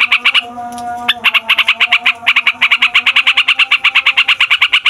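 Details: Rolling yellow-vented bulbul song used as a lure: a few harsh notes and a short clear held tone, then a long even series of fast rasping pulses, about three per second.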